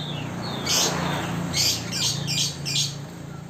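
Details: Chinese hwamei (wambi) in a cage, a bird growing tame and bathing there often in the morning and evening, uttering loud scratchy high bursts, one then a run of four in quick succession, against a steady background noise.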